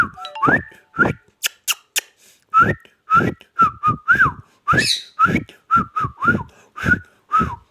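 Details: Ring-necked parakeet talking in fast bursts: a few sharp high clicks early on, then a quick string of short whistled syllables, some rising, some dipping, with one shrill squeak in the middle.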